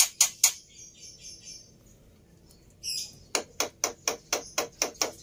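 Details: Worked-up fighter Black-winged myna, suited to teaching silent mynas. Two sharp notes are followed by a pause, then a rasp and a steady run of about eight hard, rattling notes in quick succession.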